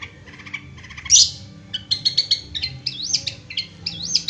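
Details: Captive long-tailed shrike song: a stuttering string of notes, a loud harsh burst, then sweet warbled whistles that rise and fall in wavy loops, repeated twice.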